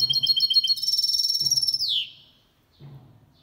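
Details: Goldfinch × canary hybrid male singing clean, error-free song, used to stimulate males to sing and to teach young birds; rapid repeated high twittering notes sliding into a dense bright trill that drops at the end, faint low hum beneath.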